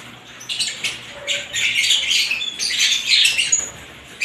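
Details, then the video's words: Several kinds of lovebirds chattering together, heard as dense, shrill, squeaky chirps and twitters in rapid overlapping bursts, nearly continuous with brief lulls, with no other clear sounds. "ibat ibang klasing uri ng love birds sarap nilang pakinggan habang na humuhuni"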